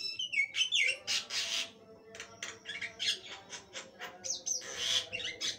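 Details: Javan myna singing lively and nonstop (gacor): a sliding whistled opening followed by dense bursts of harsh, scratchy, chattering notes in quick irregular succession, loud and close.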